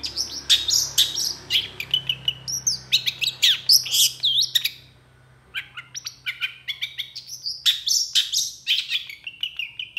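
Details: Long-tailed shrike, an excitable bird quick to answer other shrikes, in a tutor recording: a fast, varied medley of high chattering notes and mimicked phrases, pausing briefly near the middle, with a low hum underneath.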